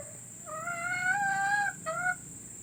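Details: Hen calling for laying encouragement: a long, steady, nasal note held over a second, followed by a shorter similar note, over faint background hiss.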